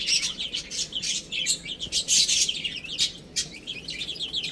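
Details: A group of baby chickens playing and feeding makes dense, shrill cheeping. Rapid overlapping peeps rise and fall in loudness, with sharp clicking sounds mixed in throughout.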